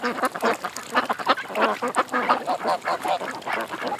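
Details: Several ducks at a creek quacking almost continuously, short nasal calls running together in a busy, overlapping chorus.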